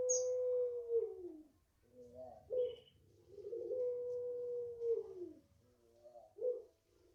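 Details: Barbary dove, known locally as puter pelung, five months old and garden-raised, delivering long coos: two sustained level notes each falling away at the end, separated by shorter warbled coos, with a brief high chirp of another bird.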